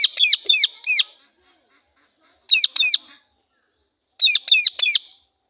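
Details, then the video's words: Angry voice of a female Indian ringneck parakeet, three tight bursts of shrill, grating screeches, three or four notes each, about every two seconds with silent gaps between. "Female Parrot Sound (Angry Voice)"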